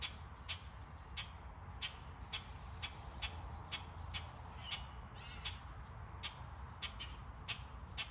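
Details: Summer birdsong in the trees: brisk, irregular sharp chirps, roughly two each second, with a few softer notes from other birds over a steady low background rumble.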